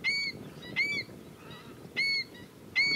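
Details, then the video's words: Female black-winged stilt: four loud, clipped, nasal 'kek' notes in three seconds, each brief with a bright overtone-rich ring, separated by a soft low background murmur. "Cavaliere d'Italia femmina"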